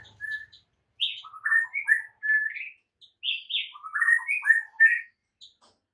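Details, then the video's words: Master song of the white-rumped shama, intended to turn silent birds into eager singers: varied clear whistled phrases rising and falling, given in two loose bursts with short pauses. "MASTERAN Murai Batu MANDEK & BISU seketika jadi NARUNG plus NGAMUK mendengarnya"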